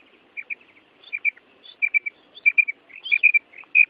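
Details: Female quail calling, a breeding-season call used to prompt male quails to call: clear high chirped notes in quick groups of two or three, repeated irregularly, with faint background chatter.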